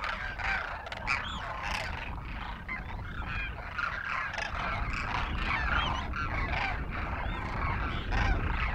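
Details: A flock of Demoiselle cranes feeding from villagers in Rajasthan, India, crooning happily. Many birds call together in a busy stream of overlapping croaks and rolling notes, over steady low rumbling wind-like noise.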